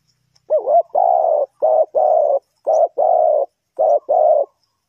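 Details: Spotted dove used as a lure in bird trapping, Ninh Thuận, Vietnam: a phrase of low, hoarse coos, starting with a short wavering note and followed by seven steady notes in pairs, with quiet gaps between.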